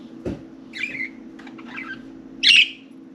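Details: Four pet budgerigars playing and talking inside and on top of their cage; three short, bright chirps spaced under a second apart, the last one loudest, over a faint steady hum.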